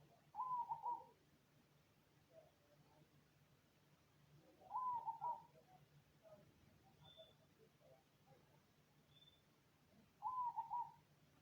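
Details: Cemani zebra dove singing, giving three bursts of quick, trilled cooing, each about half a second long and spaced roughly five seconds apart, over a faint low hum with a few soft background chirps.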